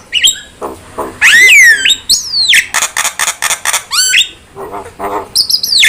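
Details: Starling (jalak) lure and tutor recording: loud mix of arching whistles, a rapid burst of harsh buzzy rasps, nasal chatters and a final high descending whistle.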